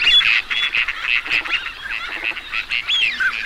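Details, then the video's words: Teal ducks calling together as a flock: a dense, continuous chorus of overlapping nasal, honking notes and short high whistles, with no other clear sounds. "Teal duck Sound"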